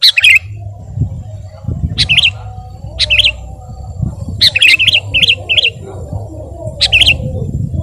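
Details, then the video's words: Sooty-headed bulbul (kutilang) in lively song for tutoring and luring birds: short bursts of two to four bright, bubbly notes separated by pauses of about a second, with low rumbling background noise. "masteran dan pancingan suara burung KUTILANG GACOR"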